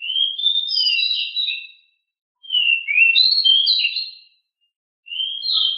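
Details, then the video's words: Noisy, nimble 'ngeroll' song of a pied bushchat (decu): three bursts of rapid high warbling and twittering, each around two seconds, separated by short silences; nothing else audible. "Sangat Ngeroll!!! DECU sangat gesit suara sangat berisik"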